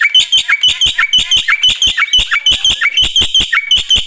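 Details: Energetic black-winged myna song meant to set other mynas singing, made of harsh, buzzy paired notes with short whistled accents, repeated steadily about twice a second throughout.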